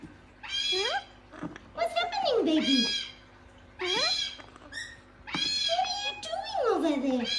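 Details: Gang-gang cockatoo talking: speech-like phrases of rising and falling nasal, strongly harmonic syllables, given in bursts about a second long with short pauses between them.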